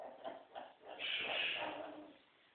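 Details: Scarlet macaw kept as a pet, playing during special time with its owner: a few soft rough clicks and grunts lead into a long, harsh, rasping squawk that tails away slowly.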